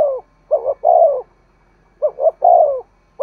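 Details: Urging 'thúc gù' coo of a spotted dove, used to stimulate wild doves into calling. Two clear phrases, each a doubled hoot and then a sustained, descending coo, in calm surroundings.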